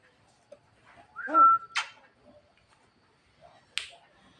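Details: At night a Javan myna calls to its mate: a single clear whistle over a rough harmonic note, followed by sharp snapping clicks and a quieter click near the end.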